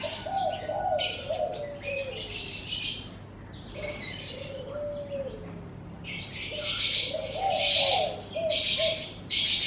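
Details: Morning birdsong in front of a house: clusters of high chirps and trills in bursts, alongside low soft dove-like coos repeating at intervals.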